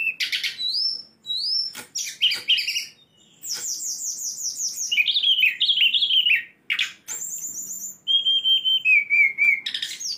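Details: A tame sulingan gunung with many song variations sings a lively medley of quick chirps, rolling trills, descending whistled runs and sharp high notes.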